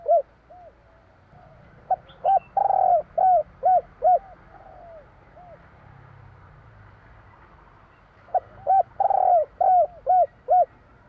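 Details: Spotted dove, Javanese type, in 'kuk 3' style: repeated cooing phrases of short hollow notes around one long, drawn-out falling coo. A quiet interval separates the two phrases.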